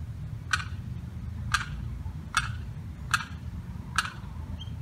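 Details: Lost limpkin chick separated from its mother and sibling by a fence calls in distress. Abrupt, clipped notes come five times in under five seconds at uneven gaps over low background hum.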